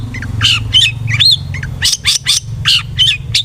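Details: Long-tailed shrike (cendet) song played as a lure to provoke aggressive singing: scratchy chirps and short whistled upslurs repeated in quick bursts over a low background hum.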